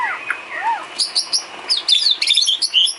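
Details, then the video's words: White-rumped shama filler song used to train cage birds: low curling whistles give way to a rapid tumble of high chirps and squeaky notes. "Isian kicau burung murai batu"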